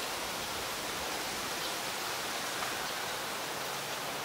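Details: Steady broadband rushing like rain or flowing water, with no animal voice standing out.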